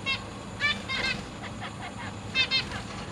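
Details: Zebra finch family in a large cage, parents busy feeding three juveniles and three new babies, August 2023; clusters of nasal, trumpet-like beeps in pairs and short runs, over faint background hum.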